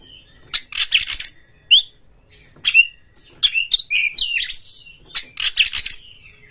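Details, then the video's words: Oriental magpie-robin in a cage mixing scratchy, rasping bursts with clear rising and falling whistles in quick succession; intended to stimulate caged magpie-robins to sing and fight. "Pancingan KACER TOP2024 bikin burung KACER Buka Ekor KONSLET bongkar MATERI FULL NGOTOT DAN TARUNG"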